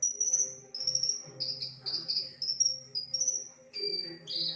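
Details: Javan bush lark in loud, varied song copying other birds' voices, including canary, shrike and bulbul: an almost unbroken run of high, sweet trilled phrases shifting in pitch, with a low steady hum beneath.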